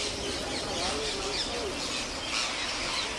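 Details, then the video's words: Thousands of wild parrots gathering daily in India while a farmer feeds them; a dense, continuous din of overlapping shrill screeches and chatter from the flock, with human voices mixed in. "FEEDING 10,000 WILD PARROTS DAILY"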